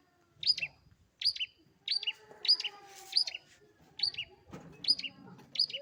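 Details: Long-tailed shrike kept as a pet, in lively song: eight sharp, high, clipped two-note chirps spaced roughly 0.7 seconds apart, over a faint low rumble and background hum.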